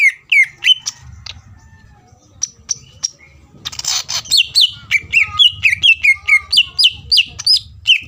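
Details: Greater green leafbird song meant to goad a rival: scattered sharp whistles at first over a faint low hum, a noisy burst, then a steady fast series of bright slurred whistles, about four per second.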